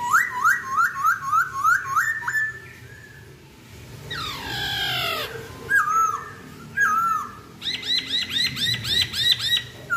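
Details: Chinese hwamei singing a varied series of loud whistled phrases: a run of quick rising slurs, a long descending sweeping note, then fast high trilled notes repeated in rapid bursts.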